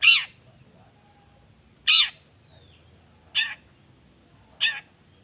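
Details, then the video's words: Long-tailed shrike giving four loud, harsh, rasping calls spaced one to one and a half seconds apart, each a short grating burst, with quiet between them. "Cendet Gacor Efektif Pagi Siang Sore Rajanya Bikin Cendet Lainya Spontan Nyaut Bunyi Penuh Emosi"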